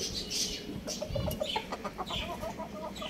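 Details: Young roosters and chicks playing at home: a run of short, evenly pitched clucks in quick succession, with brief sharp high-pitched chirps scattered in the background.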